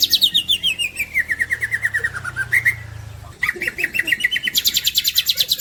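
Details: Green leafbird singing a long descending run of rapid notes that slides from high to lower pitch, then a pause and a resumed burst of very high, dense trilling.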